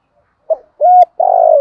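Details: Spotted dove with a 'thổ sấm' voice, calling as a trapping lure to rouse decoys: a short lead note, a clean level coo, then a long vibrating burry coo sliding slightly downward.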